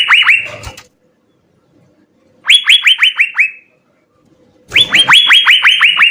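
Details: Gacor Asian fairy-bluebird with full isian: three phrases of rapid rising whistles split by silence, the last a dense run of upswept notes, each sharply attacked, with a faint thud at phrase starts.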